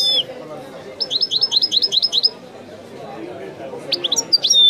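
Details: Goldfinch song in the Widani style from a recorded tape: a high slurred note, a quick burst of around ten sharp repeated twitters, a pause over faint background murmur, then renewed high trilled chips.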